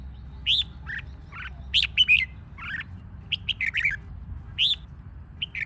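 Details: Red-whiskered bulbul singing in a competition-training recording meant to stimulate other birds: rapid runs of bright, slurred chirps and whistles, some sweeping up then down, delivered in uneven clusters across several seconds with faint background hum.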